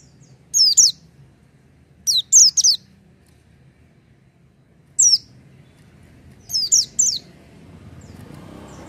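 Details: Oriental white-eye (pleci) in lively song: four separated bursts of sharp, high-pitched twittering, each a few falling notes, spaced a second or more apart, with faint rumbling noise building near the end.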